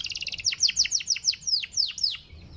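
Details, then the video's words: Panda canary song used to prompt other canaries to sing: a quick buzzy trill followed by a series of sharp, steeply falling whistled notes, about four per second, bright and high. "KENARI PANDA LAGU SYAHDU UNTUK PANCING KENARI"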